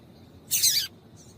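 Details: Female double-collared seedeater calling to excite males: one dense, high, buzzy burst lasting about half a second, then a faint higher trill.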